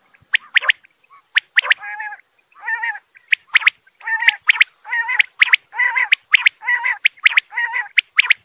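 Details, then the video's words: Quail, male and female calls: rapid series of sharp clicks and harsh, buzzy bursts with banded tones, repeated roughly once a second, irregular and fairly loud, no other sounds. "male batair ki awaz, batair new awaz, madi batairy ki awaz"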